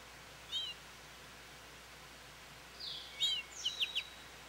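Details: American goldfinch at a feeder calling for attention: one soft chirp early, then after a pause a burst of sharp, high, slurred chirps, with faint whistles from other birds behind.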